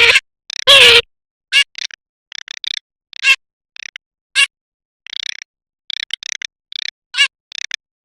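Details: One loud, harsh, falling nasal call opens, followed by a long run of dry, wooden-sounding rattle bursts from a garganey at uneven intervals.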